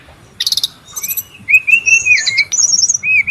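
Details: Wild brown-chested jungle flycatcher, noisy lure and tutor recording: a few short high ticking bursts, then long clear whistles wavering around a steady middle pitch, with sharper high notes overlapping near the end.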